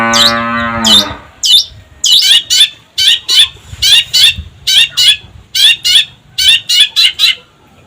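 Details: Long-tailed shrike song: sharp, high chipping notes repeated roughly once a second, with a brief low tonal hum at the start.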